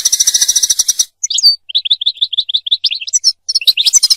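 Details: European goldfinch singing, recorded for mating and for training young goldfinches to sing: a buzzy high trill, then a string of quick liquid twittered notes, closing with sharp chirps.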